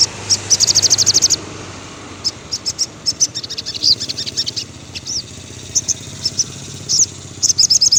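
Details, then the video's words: Sogon, or crimson sunbird, heard in the afternoon: a brief fast burst of shrill high notes, then scattered chips and slurred squeaky notes, and another short rapid burst at the end. "suara sogon syahdu sore hari"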